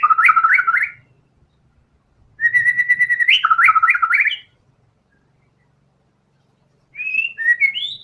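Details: White-rumped shama singing energetically and showing off its learned song material: three bursts of rich whistled phrases with fast trilled, stepped notes, separated by silent pauses, with faint low rumble beneath.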